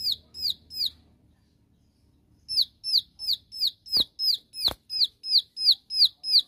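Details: Bar-winged prinia in its 'tembakan' shooting-style song, used to call out rivals: three high downslurred notes, a pause of over a second, then a long regular series about three per second. Two sharp clicks cut through near the end.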